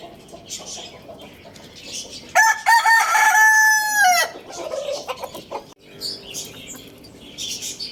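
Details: Lohmann Brown rooster crowing loudly in the morning at Lalukhet bird market: one strong, richly harmonic crow lasting about two seconds, held level then falling away at the end, with chirping small birds before and after.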